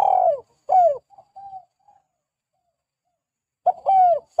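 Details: Spotted dove in full voice, used to lure doves: two loud falling coos, then faint short notes, a silent stretch, and another pair of loud hoarse coos.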